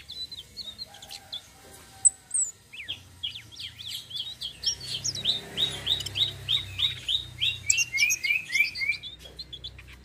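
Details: Flowerpecker song, local name tledekan sitrun selendang biru, played to lure other birds: scattered high notes build into a long, rapid, regular rolling series of sharp slurred chips about three per second, over faint low rumble.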